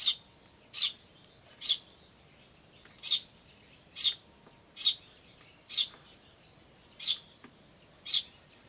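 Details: Eurasian tree sparrows, adults and chicks, recorded 10 May 2013 with a camcorder; sharp high chirps repeated about once a second, nine in a row, each short and bright, over a quiet background.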